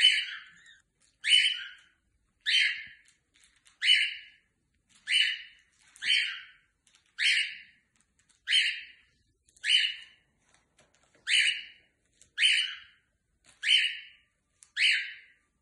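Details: A cockatiel gives harsh, screechy calls, repeated about every second and a quarter, while trying to throw a candy wrapper onto the floor.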